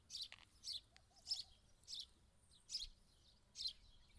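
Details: House sparrow giving short, bright, high chirps, about six in four seconds, at an uneven pace, with a faint wavering lower note in the background.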